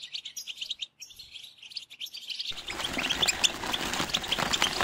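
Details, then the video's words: A European goldfinch sings its mating song, a fast, tinkling stream of high twittering notes and liquid trills, with a louder, more crowded second part. "بتبتة وستسستة الحسون لتزاوج"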